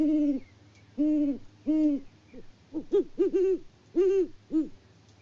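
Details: Wild great horned owl pair trading hoots at a farm in Peabody, Kansas, winter 2024, after the male brings rodent prey. Steady deep hoots give way to faster, overlapping notes from both birds.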